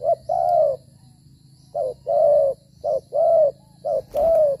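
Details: Spotted dove decoy bird cooing during dove trapping in rain season, moving and fighting while calling; a short note then a longer drawn coo, repeated in pairs about every second, low and mellow, steady background hum.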